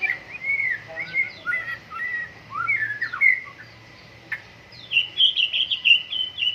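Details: Morning dew airing of a white-rumped shama in full song. It pours out clear whistled phrases, swooping slurs and a sharp click, ending in a quick high warbling trill over a faint constant tone.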